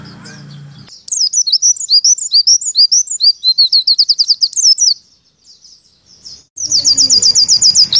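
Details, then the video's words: Warbling white-eye 'nembak' tutor song for training pleci, advised for morning play at dew time: after a brief low rumble, a fast run of high chirps and slurred whistles, then a break and a ringing rapid trill over background noise. "Masteran Pleci Nembak 2018"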